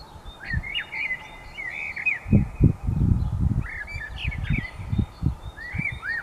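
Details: Dawn birdsong with quick bright chirps and short whistled slurs, often rising then dropping, given in clusters, over rumbling low-pitched bursts of background noise.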